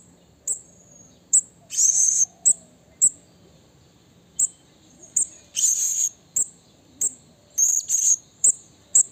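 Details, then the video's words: Wild blue-crowned hanging parrot calling a rival with a long series of sharp, very high single notes broken by several harsh, buzzy chattering bursts, irregularly spaced over about nine seconds. "Suara Burung Serindit Memanggil Lawan Alam Liar"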